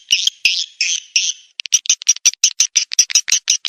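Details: Call played as a lure to draw swiftlets: four long, harsh, buzzy chirps, then a quick, fairly regular series of short, clicking twitters at about three per second.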